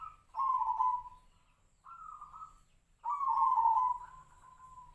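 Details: Zebra dove (perkutut) with the Tejoanom song, a voice compared to the sirtu-sirpo bird: three soft, vibrating coos, with the last phrase stretching out and fading away.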